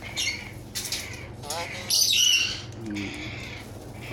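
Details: A galah cockatoo of unknown sex, recently taken into care, gives three harsh, rasping squawks about a second apart, the last the loudest, while its keeper talks softly and asks it to say hello.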